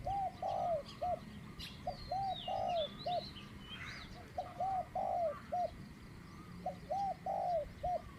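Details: A caged spotted dove used as a decoy coos in the one-kook, middle-pitched style. Four mellow phrases of three coos, with the middle note drawn out, repeat about every two seconds over faint birdsong and a soft hiss.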